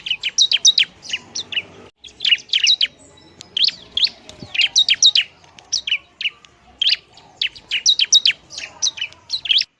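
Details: Bar-winged prinia singing loudly, a call used to provoke other prinias: bursts of sharp, high chirped notes repeated rapidly in clusters, with a short pause near two seconds, then fast chattering phrases again.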